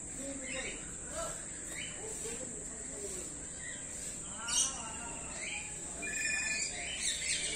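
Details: Speech-mimicking common hill myna, Jamshedpur Zoo after lockdown: a string of brief nasal, speech-like syllables and chirps spread across several seconds, with a continuous shrill insect hum.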